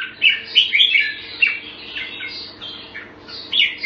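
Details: Jambul, or red-whiskered bulbul, on special bird food, gives a few bright chirpy notes followed by softer slurred warbles and a final loud phrase, over a faint low hum.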